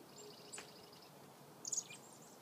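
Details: A chickadee alarm call: two brief, very high, thin call bursts about a second apart, the second a quick cluster of sharp notes, over steady background hiss.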